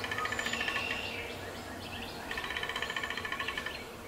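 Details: A male Downy woodpecker drums on a 150-year-old black walnut in Appalachia: two quick, even rolls of rapid taps, each about a second and a half long, with faint high bird chatter behind.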